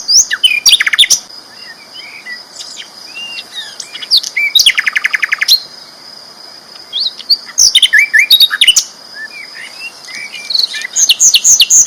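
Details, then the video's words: Sikatan londo flycatcher in loud, persistent song: dense high twitters, sharp chips and a quick buzzing rattle near the middle, with busy chattering bursts throughout. "BURUNG SIKATAN LONDO GACOR ISTIMEWA KERAS LANTANG"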